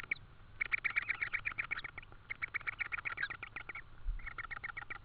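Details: Estonian tawny owl nest in May 2013, evening, while an insect is brought as food. Quick, evenly repeated chirping notes form dense runs with a short gap midway. A steady low hum and soft thuds sit underneath.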